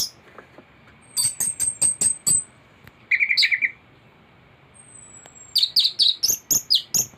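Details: Thrush song from a full imitated repertoire: a string of high, clipped chips, a brief trill of lower buzzy notes, then a rapid burst of piercing squeaky notes. A thin whistle drifts faintly in the background.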